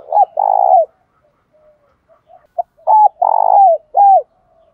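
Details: Spotted dove used as a lure bird, giving the call style known locally as giọng đồng pha thúc bổi: low hollow cooing notes, short clipped coos followed by long drawn-out ones, in two phrases separated by near silence.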